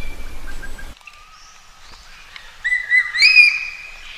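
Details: Common green magpie calling for a mate: after a brief low rumble, a soft thin whistle, then a louder phrase of bright rising and falling whistled notes.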